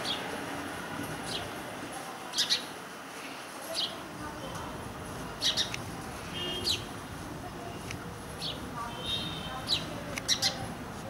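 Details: Indian house sparrow calling in India: brief high chirps, often in pairs, repeated every second or so against a constant hum of background noise.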